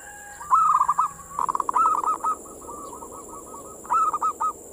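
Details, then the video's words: Zebra dove, or perkutut, singing manggung to lure other local doves: bubbly trilled phrases of quick notes, a softer run of even pulses, then the phrase repeats, over a steady high-pitched hum. "the sound of the turtle dove is a mental lure,suara perkutut pancingan mental birahi"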